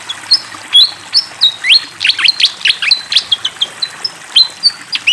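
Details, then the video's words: Vigorously singing fantail with flowing water behind: alternating level whistles and sharp falling chirps in steady phrases across five seconds, some notes doubled. "SUARA BURUNG SIKATAN KIPASS GACOR DENGAN SUARA AIR MENGALIR"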